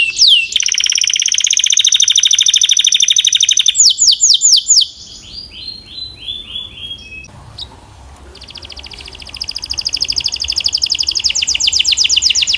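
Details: Belgian canary song, strong and clear: a long buzzy rapid trill, a run of falling whistled notes, a pause with faint background, then another fast rolling trill.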